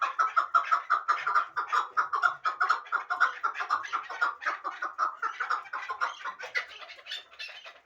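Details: Rhythmic chuckling from a hybrid partridge, a fighting and hunting bird: about two clipped, nasal notes each second, slightly uneven, loudest early and fading slightly toward the end.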